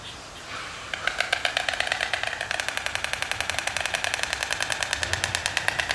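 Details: Two white storks that did not fly back to Africa greet each other on their nest by clattering their bills, since they have only weak voices: a dry, rapid wooden rattle of about ten clacks a second for several seconds over faint hiss.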